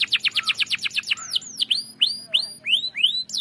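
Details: Canary lure song with a long roll: a fast rattling series of about a dozen notes for one second, then sweeping downward whistles and a run of rising, evenly spaced upslurred chirps.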